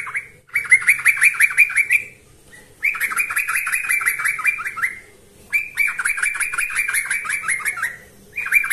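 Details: Persistently singing yellow-vented bulbul used as a lure: three long bursts of dense chattering notes, each about two seconds, separated by pauses, with the start of a fourth at the end.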